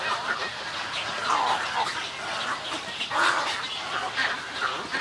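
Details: Snowy egret colony, where loud nasal squawks come in separated bursts, two of them prominent, over constant coarse chatter from other birds.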